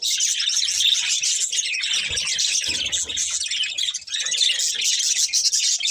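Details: Budgerigar breeding pair chattering as they eat: continuous high, buzzy twittering throughout, with a few soft low thuds near the middle and a short lull just before the end.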